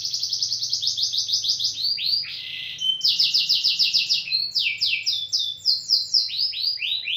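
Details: Canary song in style: long sequence of fast high repeated notes broken by a short harsh buzzy burst, then more rapid trills and descending slurred notes, changing tempo between phrases; faint low hum.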